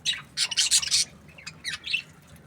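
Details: Several quick, scratchy, high budgie chirps bunch together in the first second, followed by a few shorter, thinner chirps and one rising note near the end over a quiet low hum.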